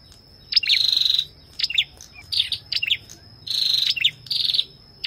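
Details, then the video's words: Ashy tailorbird and female calling, rapid buzzy trills alternating with short double chirps, over a constant high-pitched background tone. "Tiếng chim Sâu đầu đỏ hót kèm tiếng Mái | Chích bông nâu ✅Ashy Tailorbird call | นกกระจิบหัวแดง"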